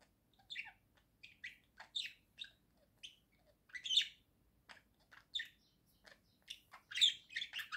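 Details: Pet budgerigar singing at home: a lively chattering warble of short chirps, squeaks and twittering notes in uneven bursts, with louder clustered chirps near the end and a quiet background.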